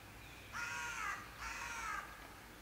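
A raven gives two harsh, drawn-out croaks, each about half a second long, with a brief pause between. There is faint background hiss.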